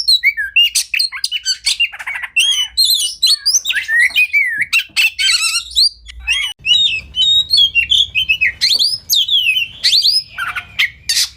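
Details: Masteran training song of a caged Oriental magpie-robin (kacer), packed with fast fills. Harsh squawky notes mix with sharp chips, slurred whistles and rapid trills in a continuous, varied stream. Faint low hum sits underneath.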